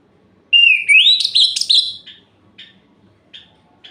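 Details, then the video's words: Orange-headed thrush, song meant to stir rival males at night: a clear whistle rising smoothly into a tumbling, warbled flourish, followed by three short, spaced buzzy notes. "Suara Ini Bikin Gerah Anis Merah Lain"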